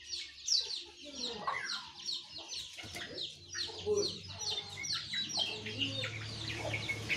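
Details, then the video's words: Morning chorus of sooty-headed bulbuls, yellow-vented bulbuls and white-eyes: busy, layered chattering and bright whistled notes in rapid succession, over a steady low rumble of background noise. "Suara Burung Jongkangan, Terucukan , Pleci di pagi hari"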